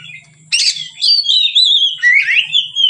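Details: White-rumped shama singing relaxed as a training lure: a harsh burst followed by continuous loud whistling, a sustained wavering note then rising slurred phrases, over a faint low hum.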